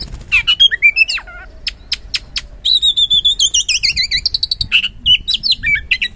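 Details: Energetic kacer, the oriental magpie-robin, in full song meant to prompt lazy birds to respond: varied rising whistles and crisp clicks open, followed by a long rapid run of dipping whistled notes and assorted high chirps.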